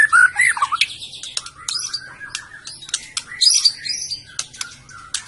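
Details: Song of a white-rumped shama from Medan: a few clear whistled notes, then softer varied warbles and sharp clicks, with pauses between bursts.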